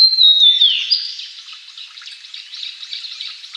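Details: Blue-and-white flycatcher, among Japan's three celebrated songbirds, in courtship song toward a female: a pure high whistle slurring downward, followed by a softer jumble of quick warbled notes.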